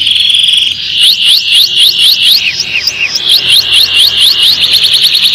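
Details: Canary song for training young canaries to sing: a held whistle gives way to evenly spaced, sharp downward-slurred notes that speed up into a fast rolling trill at the end.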